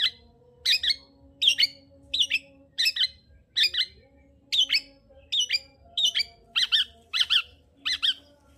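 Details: Vocal long-tailed shrike used as a lure to raise singing drive in a reluctant bird. Scratchy, chattering doubled notes repeat a little over once a second at a steady pace.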